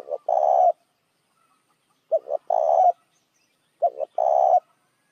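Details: Spotted dove calling as a lure for other doves: two short clipped notes, then a long, even, throaty coo. The phrase repeats about every two seconds, with a trailing coo at the start and clean silence between phrases.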